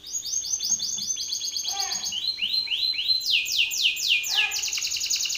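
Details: Agitated Belgian canary singing hard toward another male: trains of quick downward-swept whistles, each phrase changing pitch, then jumping to a higher, louder roll of sweeping notes; steady low electrical hum underneath.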